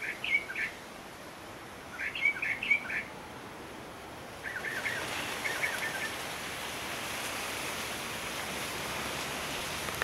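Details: Bahama mockingbird in the Bahamas giving a few short, rough mid-pitched notes in small bursts over the first five seconds, then steady surf-like rushing noise.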